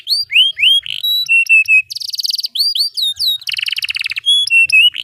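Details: Long-singing canary serving as a song tutor for juveniles; curved whistled notes, steady flat whistles, and two bursts of dense buzzy rolling trill, all loud and clear.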